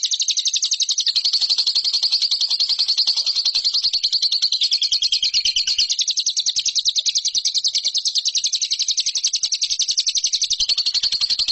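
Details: Lovebird chattering as a training recording for competition birds: a long, unbroken stream of very rapid buzzy notes, harsh and even, holding a steady pitch for more than eleven seconds.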